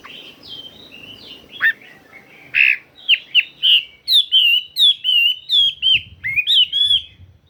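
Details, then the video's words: Chinese hwamei singing in wild forest style: varied slurred phrases, then a rapid series of loud, clear whistled notes repeated about twice a second. "Tiếng Chim Họa Mi Hót Chuẩn Giọng Rừng."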